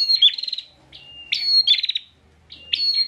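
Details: Insistent song of a caged bar-winged prinia from Pemalang, Central Java, used to train other songbirds: a flat whistle, then a rapid pulsed buzzy trill, repeated in short bursts with soft gaps.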